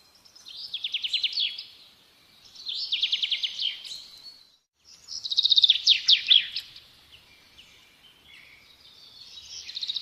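Sparrow chirping in four bright, rapid bursts of high, buzzy chirps, each lasting a second or two with short pauses between, over faint background noise.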